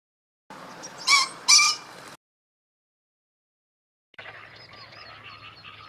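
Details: Green pheasant calling, recorded on 20 April 2014: two loud, harsh bursts about half a second apart with stacked overtones, followed by a silent gap and then a quieter stretch of faint background sound with thin tonal traces.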